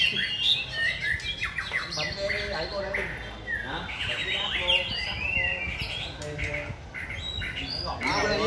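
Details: Varied, rhythmic song from a white-rumped shama: bright whistled slurs mixed with chattering notes and quick trills, over faint low background noise.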